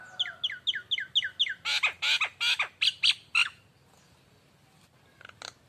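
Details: Nias hill myna lure song: a quick series of whistled downward-flicking notes leading into loud, harsh, rasping calls, then near silence and a couple of faint notes.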